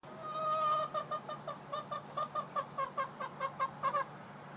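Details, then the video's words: Hen that has made this crying sound for three days, with her owner unsure if it is normal; a drawn-out first note, then about fourteen short nasal whining calls in a steady series, roughly three per second. "Hen makes noise like she is cry"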